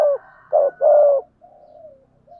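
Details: Lure recording of spotted doves, male and female, for prompting trained doves to coo in thúc gù and gáy gọi styles. Three hoarse low coos close together, followed by a quiet, drawn-out, falling murmur.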